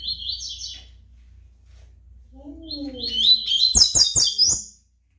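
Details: A brown-plumaged ("pardo") double-collared seedeater (Sporophila caerulescens) sings high, rapid twittering phrases, then faint lower whistled notes and a burst of sharp chirps and clicks, in a quiet indoor setting.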